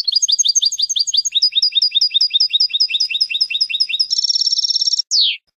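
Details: European goldfinch song on a tutoring recording for young birds: a quick run of repeated high chirps that changes pattern, then a buzzy rapid trill and a single falling note at the close.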